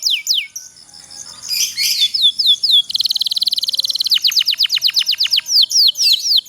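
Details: Canary of the kenari pocong kind singing a long roll, meant to coax lazy canaries into song; short down-slurred notes lead into a fast buzzy trill, then a run of sharply descending whistles.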